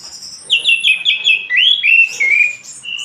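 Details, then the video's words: Orange-headed thrush giving clear whistled phrases, a run of quick slurred notes followed by sweet rising and falling whistles, ending on a steady high note. "SUARA BURUNG ANIS MERAH GACOR"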